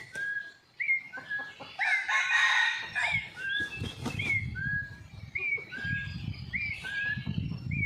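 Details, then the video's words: Red junglefowl filmed by a hidden camera on a morning after a storm, very lively: one harsh, broken crow bursts out midway, surrounded by a steady series of short slurred whistles from other birds and low rumbling noise. "ตั้งกล้องแอบชมไก่ป่า หลังพายุเช้านี้คึกมาก!!"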